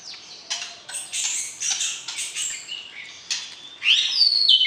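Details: White-rumped shama being matched with a mate, its song meant to arouse the opposite sex before breeding: scattered short sharp chirps and clicks with pauses, ending in a loud rising then falling pure whistle.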